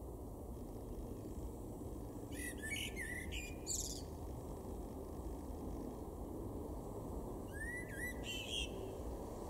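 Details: Common blackbird, a male, singing in April 2022 in a garden in Weener, East Frisia, Germany: two separate phrases of low fluted whistles with squeaky high flourishes, several seconds apart, over constant low-frequency background rumble.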